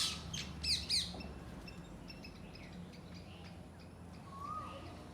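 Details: Parakeets in a yard: a quick burst of three shrill, harsh squawks in the first second, then fainter scattered chirps over a steady low background hum, with a thin whistle near the end.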